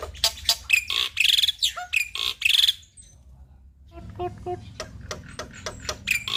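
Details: Male black-winged starling singing to set other starlings singing; loud buzzy chirps and whistles, then a quieter passage of clicks and short sharp notes before the song picks up again.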